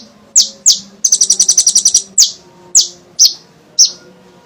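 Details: Kolibri ninja sunbird singing energetically, a lure to set other birds singing. Two sharp high downslurred chips, a rapid trill of about a dozen notes, then four spaced piercing chips.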